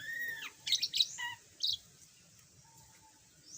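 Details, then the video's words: Yellow budgerigar, recently learning to chatter after being mute: a few squeaky, harmonic chirps and a short buzzy burst, then a faint background hum. "Kicau Burung Parkit"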